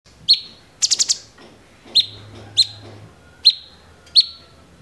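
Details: A bulbul, named cucak cungkok (tags say Orange-bellied Leafbird, Chloropsis hardwicki), fires short, sharp chirps about every second, with one quick burst of four high notes near the start: sparrow-like "shots" in a fighting mood.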